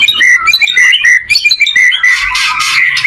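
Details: White-rumped shama song meant as a teaching model for other shamas: rapid whistled notes running into dense, buzzy chattering toward the end.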